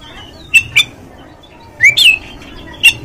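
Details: An Oriental magpie-robin, played as a lure to provoke aggression and tail-spreading, gives short, loud whistled and rasping notes, a pair, then a rising slurred phrase, then a final high-pitched note.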